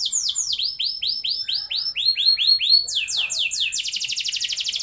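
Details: Canary song played to encourage young canaries' long rolls: a chain of loud down-slurred whistled notes repeating rapidly, shifting higher, then breaking into a very fast continuous high trill.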